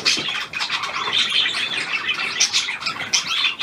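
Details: Hand-tame pied budgerigar, a new bird, February 2023: short burst of rapid high twittering, bright chirps and whistled notes crowding closely together without a break.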